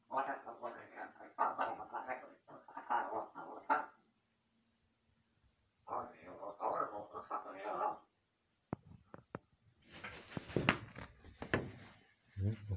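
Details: A jungle crow (large-billed crow) mimics human speech while talking to itself. It mutters speech-toned babble in two runs of a few seconds each, then gives a burst of clicks and rough, noisy rasps.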